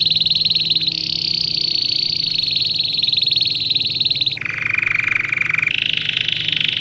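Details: Canary singing for young birds in training. It holds a long, high, fast-rolling trill, drops suddenly to a lower rolled phrase, then jumps back up to a mid-pitched roll. A faint low hum continues throughout.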